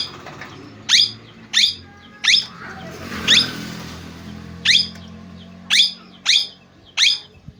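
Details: Parrot uttering eight sharp, rising squawks in loose sequence, with a brief rushing, hissing noise partway through.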